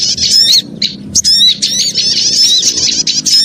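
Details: Noisy calls of small birds used as a lure: overlapping shrill chirps and squeaky whistled notes in rapid bursts, with a short lull near the start, then steady chatter to the end.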